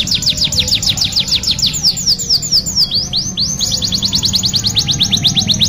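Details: Canary song for training other canaries: rapid high descending chirps in a steady run, a few slower swoops and rising notes midway, then another long fast trill of repeated sweeps.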